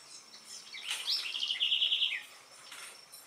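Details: A single song of an Itatiaia spinetail recorded at Capelinha / Angelândia, Minas Gerais, Brazil, opening with quick rising notes and running into a rapid, evenly pulsed high trill that stops abruptly, with constant faint high-pitched hiss behind.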